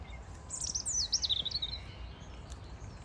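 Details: European robin at Sapanca, singing a quick, thin, very high run of twittering notes that slide up and down for about a second and a half, over a low steady background hum.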